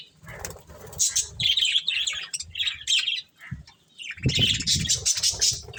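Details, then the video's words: Budgies eating corn chirp in bright, clipped notes, then burst into dense excited chatter toward the end, with heavy low thumps and rustling from feeding. "Cute Budgies Enjoying Eating Corn | Love Birds Chirping Sounds"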